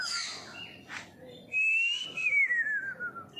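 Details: A young white-rumped shama kept as a pet in Singapore, six and a half months old, whistles in the morning: a brief blurred note, a pause, then one long clear whistle arching up and sliding down.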